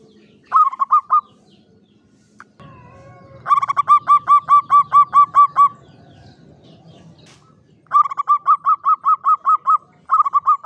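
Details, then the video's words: Clear klowongan song of a local Javanese zebra dove in a classic Mataraman cage: repeated phrases of fast, evenly spaced ringing coos, the longest about ten notes, with quiet rustling between phrases. "SUARA PERKUTUT JAWA KLOWONGAN"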